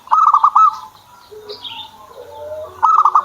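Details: Zebra dove owned as a pet: a quick stuttering run of pulsed coo notes opens, then a lull of soft lower warbles and a brief high chirp. The same pulsed coo run returns at the end.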